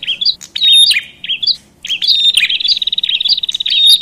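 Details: Noisy Bar-winged Prinia, said to stir up other prinias, giving loud, high, squeaky notes in quick runs, broken by a brief pause before a sustained, busy chattering burst.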